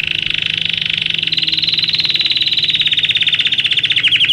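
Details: Belgian canary song for canary training: one sustained, rapid trill that starts as a buzzy roll, gradually rises and opens into distinct quick pulses toward the end.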